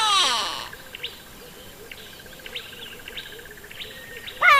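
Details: Grey Go-away-bird, a species found in small groups on conspicuous perches in trees and bushes, opens with a loud nasal call that drops in pitch. Quiet repeated chirps from another bird follow, and a second harsh call starts at the end.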